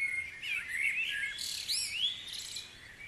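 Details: Dawn chorus birdsong at Guisborough: overlapping whistled, warbling phrases with quick rising and falling slurs and some high chirps, in a fairly quiet setting.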